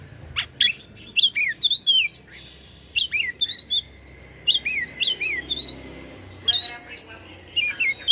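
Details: White-rumped shama from Indonesia in song aimed at provoking other shamas: quick whistled slurs, chattering trills and a brief harsh burst, in closely spaced phrases.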